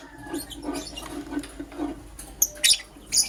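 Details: Morning lovebird activity from Green Personata and Yellow Pastel Pied birds: soft low rustling and tapping at first, then three quick shrill chirps in the final second.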